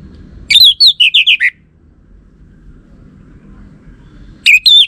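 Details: Orange-headed thrush whistling a lure phrase used to make males respond: a quick series of about six bright, slurred whistles, then silence before a fresh phrase begins at the end.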